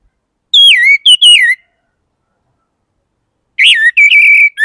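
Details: Orange-headed thrush singing two loud whistled phrases, each sliding down from a higher note and then holding a wavering tone, separated by about two seconds of silence.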